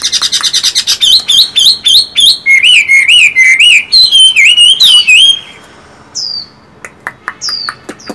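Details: Caged Chinese hwamei pouring out a fast run of loud, rolling whistled notes and trills that then breaks off into a few separate sharp whistles and clicks.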